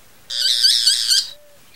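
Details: Boat-billed flycatcher call: a single harsh, nasal, buzzy note lasting about one second, with a slightly wavering rasp, followed by silence.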